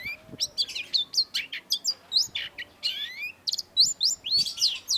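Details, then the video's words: A Long-tailed Shrike delivers a rapid, varied stream of sharp, high chirps and squeaky slurred whistles, nearly two notes a second, over faint background hiss. "cendet gacor MASTERAN CENDET SUARA TAJAM || Long-tailed Shrike"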